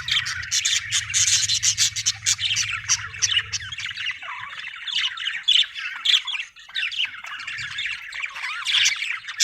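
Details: Several seconds of lively budgie chatter: rapid scratchy chirps and warbled squeaks packed closely together, with a low droning hum during the first part.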